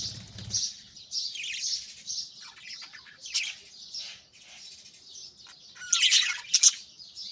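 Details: Pet budgerigars in the early morning, a flock bustling while chicks in nest pots are fed: busy high chirps and scratchy warbled chatter, with louder squeaky bursts near the end.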